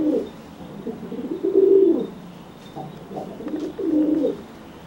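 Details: A dry pigeon threatening a wet, grounded pigeon after bathing gives three deep, swelling coos, each about a second long, with soft clicks between them.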